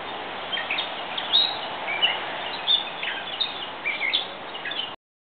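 A Gray Catbird sings a rambling string of short, varied squeaky and chirpy notes, tumbling out irregularly over a steady hiss of background noise.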